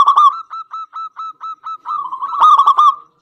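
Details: Local zebra dove in full song, used as a lure to stir other doves into singing: a loud ringing burst opens, then short, evenly spaced cooing notes at a steady mid pitch, ending in a louder, rapid, rolling flourish.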